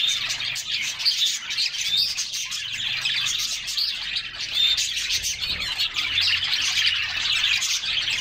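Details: Several canaries singing during a summer bath: continuous thin chirping and warbling chatter, overlapping voices, one brief pure whistle rising above the mass.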